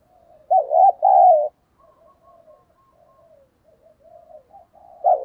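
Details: Urging 'thúc giọng' call of a spotted dove, meant to bring wild doves quickly: one loud two-part coo, then quiet, faint cooing fragments, and another loud coo starting at the end.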